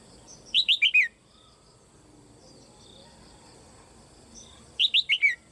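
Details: Red-whiskered bulbul, a female kept in a cage, calling to stimulate strong song in other birds; a rapid four-note whistled phrase, then a near-identical phrase about four seconds later.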